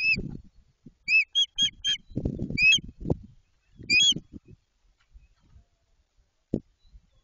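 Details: At Jedwabno in Poland, a white-tailed eagle building its nest calls in loud, ringing high yelps, single or in quick pairs and triplets, spaced by crunching of twigs and bursts of handling noise.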